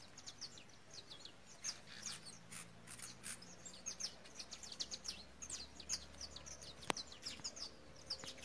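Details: Belgian canary hen calling with quick, sharp, high-pitched chirps, closely and unevenly spaced throughout, one loud click partway, and a faint low hum behind.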